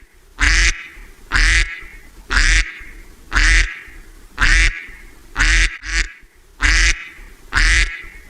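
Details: Duck quacking, loud harsh nasal quacks repeated roughly once a second, about nine in all, with one short extra quack slipped in near the end.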